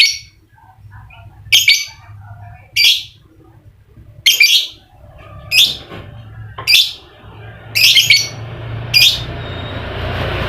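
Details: Lovebird voice used to rouse reluctant lovebirds into song. Loud, harsh, high squawks ring out one at a time, about one every second or so, with quiet gaps and faint background noise between them.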